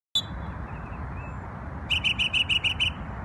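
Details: Bird singing in New York on Memorial Day: after a quiet start, a quick run of about seven bright, evenly spaced high notes, with a steady low background rumble throughout.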